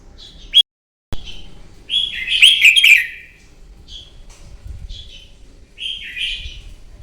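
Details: Wild-caught red-whiskered bulbul belting out a morning fighting song meant to provoke contest singing. A brief note, a short cut, then a long loud warbled phrase, followed by three shorter descending whistled phrases.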